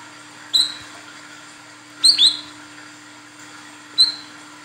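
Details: Female olive-backed sunbird calling the male: sparse single high chirps, upslurred, with a doubled chirp in the middle, spaced about one and a half seconds apart over a steady low hum.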